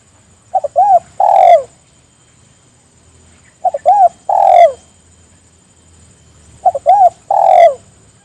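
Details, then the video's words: Spotted dove calling companions to join in, repeating its phrase three times about every three seconds: two brief clipped notes, a short arched coo and a long falling coo, with steady low hum beneath. "Suara burung tekukur memangil teman agar ikut bunyi"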